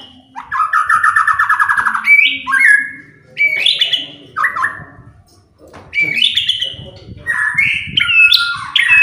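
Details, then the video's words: White-rumped shama provoking song: a long, fast, rich trill followed by short rising and falling whistled phrases separated by brief pauses, with varied trilled notes toward the end. "DENGAR SEBENTAR SAJA..BIKIN MURAI APAPUN ,,,//,,LANGSUNG,,IKUTAN EMOSI"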